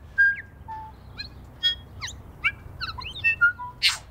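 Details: Snow on the first day of spring, New Zealand bellbirds feeding: bright ringing whistles and quick upward and downward slurred notes, spaced irregularly, ending in a harsh rasping burst.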